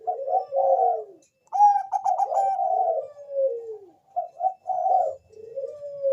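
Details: Bangkok-type zebra dove giving a lure song to prompt other doves: soft double coos, a quick pulsed trill, long descending slurred coos, then short separate notes and a level ending coo.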